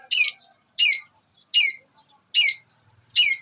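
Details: Cendet (long-tailed shrike) in a training master recording: five loud harsh squawking notes spaced evenly about every 0.8 seconds.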